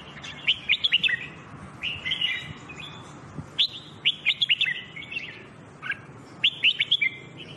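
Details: Red-whiskered bulbul singing, a recording used for song training: lively bubbling whistled phrases of four to six quick notes, repeated every second or two, slurred up and down, against low background hum.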